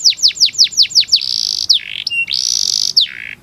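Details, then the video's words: Canary tutor song for young birds: a quick run of falling whistled notes, then long buzzy rolls broken by short sweeping slurs. "MASTERAN KENARI UNTUK SI PAUD"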